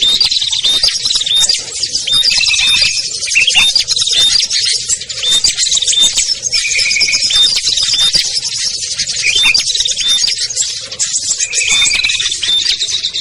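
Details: Small birds, including ciblek, kutilang, trucuk, sogon and perenjak, in a lure call for birds reluctant to come down: continuous thick twittering, repeatedly punctuated by short sharp whistles and occasional lower drawn-out tones.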